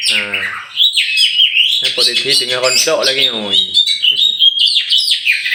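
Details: Champion oriental magpie-robin from Aceh's Meulaboh, tame and let loose before caging: harsh nasal, harmonic-rich notes mixed with high whistled slurs and warbling in a dense, unbroken song.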